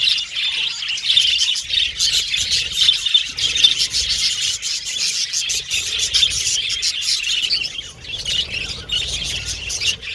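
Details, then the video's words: Several budgerigars communicating with each other, a constant bright twittering and chirping chorus with quick clicky notes layered over it, holding a fairly even level throughout with small rhythmic swells. "Budgies Chirping Sound"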